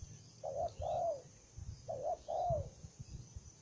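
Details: A combative, recently caught spotted dove coos softly at a distance, with two paired phrases of a short note and a falling longer note, over low rumbling background noise.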